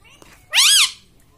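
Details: Home-kept pet parrot uttering a single loud, arched harmonic squawk lasting under half a second, rising then falling, in a quiet room.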